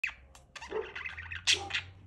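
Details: Budgerigar Monte chattering to another budgie, Benji, a quick run of scratchy chirps and warbled notes over a steady low hum.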